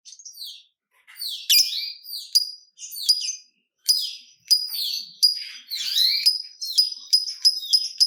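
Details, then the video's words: Lovebird song used as a lure to prompt other lovebirds to sing, the long chattering "ngekek" style: shrill, high, rapid chattering bursts and sharp descending squeaks, in phrases broken by brief pauses. "Pancingan Burung Lovebird Ngetik Bikin Gacor Ngekek Panjang !! Lovebird Lain Langsung Nyaut Gacor"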